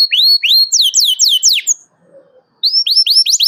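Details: Canary calling a rival, loud and excited, used as a lure to teach young canaries to sing: a run of sharp rising whistled chirps, a brief pause, then the same quick upswept chirps again.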